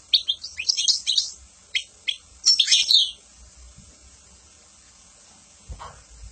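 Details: Goldfinch song in quick bursts of sharp tinkling twitters and buzzy trills for about three seconds, followed by near silence and one brief low thud.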